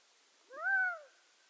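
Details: Gambel's quail call: one plaintive, arched, mewing note lasting about half a second, with a gentle rise and a drawn-out fall, clear and alone in near silence.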